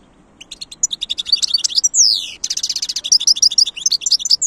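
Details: Goldfinch song, European, delivered as quick tinkling chirps that build into a long descending whistled slur, followed by rhythmic buzzy trills and more twittering notes.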